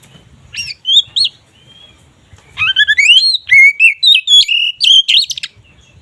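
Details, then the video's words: Oriental magpie-robin singing kacer ngeplong song, said to boost mating drive: a few short whistles, then a long rapid run of varied rising and falling whistled notes, loud and rich, over slight low hum. "Suara BURUNG KACER Ngeplong ini sangat ampuh untuk menaikan Birahi kacer"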